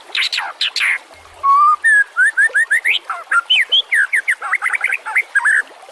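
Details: White-rumped shama singing, recorded as a master track for training other cage songbirds; harsh buzzy notes open, followed by a long clear whistle and a lively sequence of rising slurred whistles and chattering phrases.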